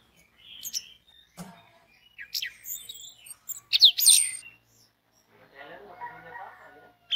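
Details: Orange-headed thrush singing, offered as a lure to prompt other orange-headed thrushes to sing: scattered sharp high whistles and quick slurred notes, a loud burst midway, then softer scratchy twittering before a final sharp note.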